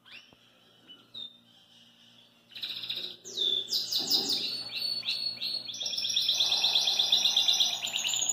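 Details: Belgian canary singing out of its cage: after a few quiet chirps, a sustained bright song builds with rapid buzzy trills, whistled phrases and a long, evenly pulsed rattling roll lasting several seconds.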